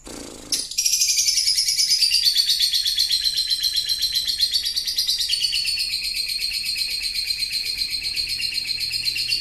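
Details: Lovebird giving a long ngekek chatter, used as a lure to set off other lovebirds. After a brief noisy start, a dense, rapid, buzzy trill runs without a break for about nine seconds, wavering slightly in pitch.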